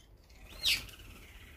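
A brown-eared bulbul gives one brief, high, sharply falling note, over in a fifth of a second, against a faint steady hiss.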